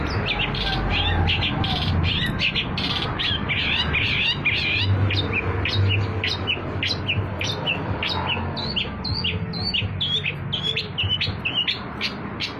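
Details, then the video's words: Long-tailed shrike singing a lure song used for trapping: a varied, busy stream of scratchy chattering phrases and sharp mimic-like notes, rapid and unbroken, with steady low background noise. "PANCINGAN CENDET, CENDET GACOR"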